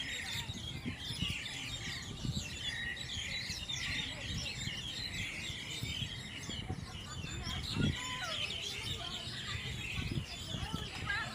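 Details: In a forest, a dense chorus of many birds gives high chirps and twittering overlapping continuously, over a low murmur of voices and rumble.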